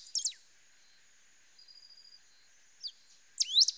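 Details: Pale-throated pampa-finch: a loud whistled phrase at the start, quiet flat buzzy notes in the middle, a lone chip, then another bright phrase of sharp slurred notes at the end.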